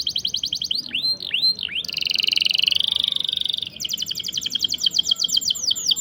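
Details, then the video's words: Training song of a canary, meant to teach young birds or restart canaries that stopped singing. A quick chirping roll, a few dipping swoops, a dense buzzy trill, then fast bright repeated notes. "CUIT CUIT NGEROL PANJANG. COCOK UNTUK MASTERAN MAUPUN PANCINGAN BURUNG KENARI MACET ATAUPUN PAUD"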